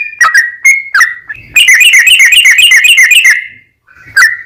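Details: Sooty-headed bulbul in long, continuous full song, played as a lure to draw other bulbuls into answering: scattered sliding whistles, then a fast run of sharp repeated notes lasting about two seconds, then a final whistle.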